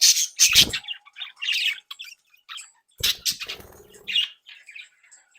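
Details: Captive flock of young budgerigars, home-bred, described as happy, active and playful. They give bursts of scratchy, chattering warbles and squawks with short pauses, plus sharp clattering noises near the start and around the third second.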